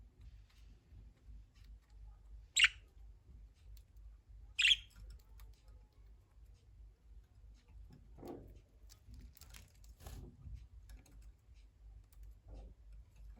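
A budgerigar gives two sharp, high chirps a couple of seconds apart over a low background hum.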